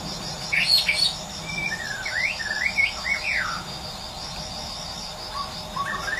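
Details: Wild white-rumped shama of the Medan type recorded in nature as a morning lure for birds that stopped singing. Zigzag whistles and sharp high chips come in an uneven phrase, then softer rising notes, over pulsing insects.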